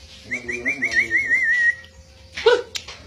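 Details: Lively pet white-rumped shama in full voice, competing with its owner: a wavering, trilled whistle held near one pitch for over a second, lower harmonic tones beneath, then a brief burst of sharper notes.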